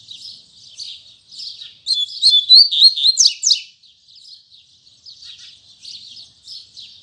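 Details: In the morning a Double-collared seedeater gives its Tui Tui Zel Zel song. Faint high chirps build into a strong, fast sequence of ringing whistles and sharp downslurred notes, followed by soft repeated buzzy twitters.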